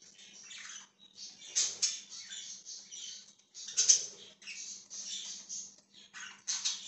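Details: Budgerigar chirping dated 1/20/2023: continuous rough, buzzy chatter punctuated by louder grating chirps, one standing out near the fourth second, over a steady quiet low hum.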